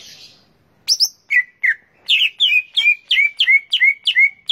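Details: Cucak ijo, the greater green leafbird, delivering a fast run of sharp, downslurred whistled notes that repeat about three times per second after a couple of higher opening chips.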